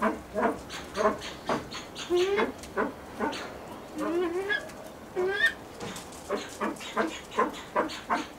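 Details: Blue eared pheasant at a breeding farm, with a rapid run of clipped, clucking notes broken by a few longer wavering harmonic calls near the middle.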